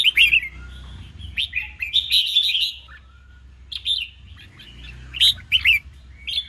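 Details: Red-whiskered bulbul contest song, 'ché chét' voice for stirring newly trapped birds: a rapid run of bright chattering notes, a quiet gap, then more sharp twittered phrases, over a steady low background hum.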